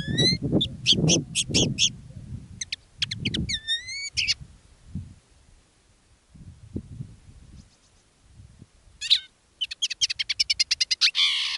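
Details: Two caged decoy common linnets singing live in different styles: bursts of fast twittering notes and bright rising whistled slurs, ending in a rapid buzzy trill, with low rumbling handling noise underneath.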